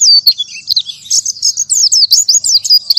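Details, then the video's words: Oriental white-eye in 'tembakan tanpa nafas' song: loud, piercing high twitters with quick downslurred notes, delivered in clustered bursts separated by tiny gaps over about three seconds. The background is quiet. "KICAU PLECI #1 Tembakan Tanpa Nafas"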